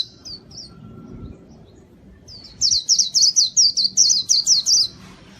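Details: Singing white-eye used as a lure for wild birds, giving a few faint chirps, then a loud burst of rapid, high, downslurred notes near the end, with a quiet background.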